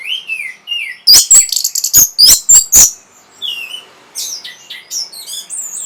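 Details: Orange-headed thrush song aimed at stimulating breeding and a response: soft rolling whistles, then five loud piercing notes in quick sequence, followed by a jumble of thin high chirps and slurred whistles.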